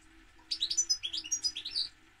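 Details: A goldfinch pours out one rapid run of liquid, tinkling twitters lasting under two seconds, with a faint low steady tone in the background.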